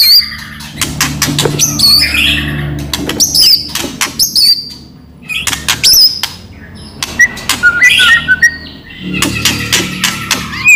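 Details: White-rumped shama in loud, lively song meant to prompt other shamas to answer: scattered high, sharply bending whistles and chattery bursts separated by short pauses, with a faint low hum.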